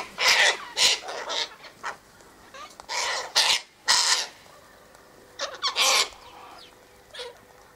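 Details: Flock of sulphur-crested cockatoos at a feeding spot by a gate, eating sunflower seeds and wheat; scattered harsh squawks in irregular clusters, some loud and close, others fainter, with quiet pauses between.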